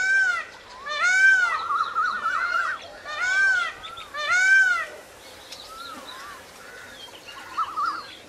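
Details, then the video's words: Peacock screaming, recorded on camera: loud harmonic wailing calls in two bursts around one and four seconds, each a rising-falling nasal cry repeated several times, followed by quieter distant calls and faint background chirps. "Peacock screaming"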